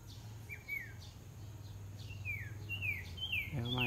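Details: Huýt cô bird in a singing contest, drawn-out descending whistles repeated about every half second, growing louder, with a steady low hum and a brief harsh noise at the end.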